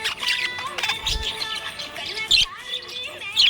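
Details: Happy budgie chirping: a busy jumble of warbled, chattering notes with short squeaky bursts and faint tonal whistles, some sharper chirps standing out near the end.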